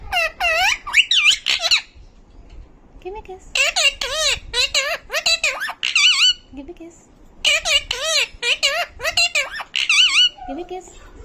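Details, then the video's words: A talking pet parrot delivers three long bouts of rapid, high, wavering speech-like chatter separated by quieter stretches with soft, low murmurs. "Bolne wala tota"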